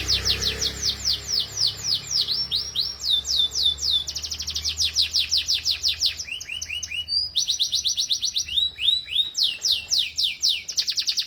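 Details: Young canaries singing on a training track: long varied song of rapid descending note series, rattles and lower buzzy phrases, alternating tempo, loud and continuous.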